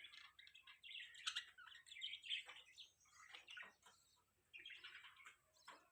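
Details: Pet budgerigars chirping: continuous overlapping chatter of fast, warbled, squeaky notes from several birds, with short gaps and sharp chirps breaking through.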